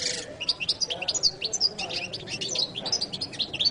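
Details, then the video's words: Goldfinch in jilguero latino song: an unbroken flow of quick, high, bouncing chirps and short trilled notes, fairly even in pace throughout. "canto de jilguero latino prt2"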